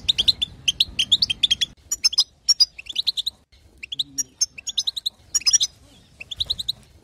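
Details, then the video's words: European goldfinch female chatter played to stimulate a male to sing: strings of sharp, high rising twitters in clusters, with quieter scattered notes between louder bursts. "بتبتة حسون وطنطنة تجعل الحسون يغرد"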